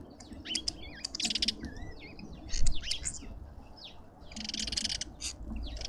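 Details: Busy lovebird chatter at a suburban garden feeder in Pretoria, South Africa: overlapping twisting squeaks and buzzy shrill bursts come in quick succession, with a dense noisy cluster near the end.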